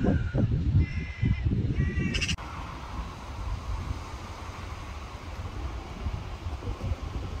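A black-billed magpie gives a few short, nasal, slightly harsh calls in the first two seconds over a heavy low rumble of wind or traffic, which then continues alone.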